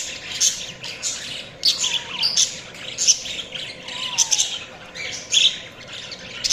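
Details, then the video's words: Several budgies chatter in a busy flock, with high scratchy chirps and twitters packed into quick bursts, plus a couple of lower sliding whistles in the middle. "Budgies Chirping sounds"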